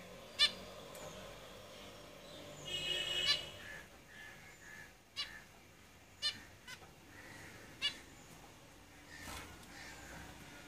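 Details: Zebra finches kept in a cage, a brief buzzy note cluster followed by several separate short nasal calls, with light room noise throughout.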